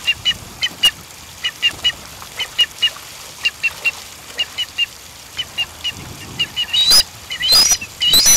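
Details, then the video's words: Blue ducks (Hymenolaimus malacorhynchos) in New Zealand bathing and calling, an unusual call for a duck: short, high whistled notes, often paired, about once a second, with splashing water bursts toward the end. "Blue Ducks (Hymenolaimus malacorhynchos) bathing and calling"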